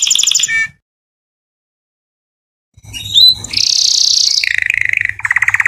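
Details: Singing canary, recorded to train chicks: a brief high trill, a pause of silence, then a scratchy phrase, a loud high buzzing roll and two lower pulsed trills stepping downward.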